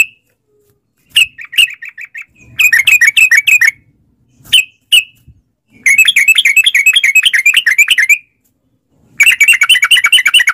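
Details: Lure recording of sooty-headed bulbul for drawing replies from caged birds, long ropel style: scattered sharp chips, then long runs of rapid chattering, warbling notes lasting two to three seconds with short gaps between.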